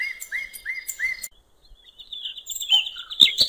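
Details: Common nightingale singing beside a river in the wild: four rising slurred whistles in quick succession, a brief pause, then a thin high trill closing in sharp chirps.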